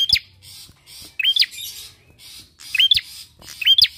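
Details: Sharp, hooked chirps of a bar-winged prinia, used as a lure to draw song from other birds, come in four separate bursts with breathy hiss around them.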